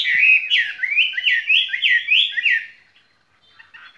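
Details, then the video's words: A caged skylark sings a fast, unbroken warble of high, rolling and rising phrases for nearly three seconds, then fades to faint twitters. "Chim quý ở lồng son ca bản tình ca mùa xuân"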